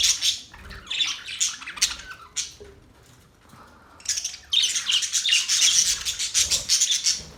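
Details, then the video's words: Budgerigar chirping, a busy chatter of scratchy, squawky notes and quick high chirps, pausing midway before resuming in a dense, continuous burst. "Budgies bird chirping sound"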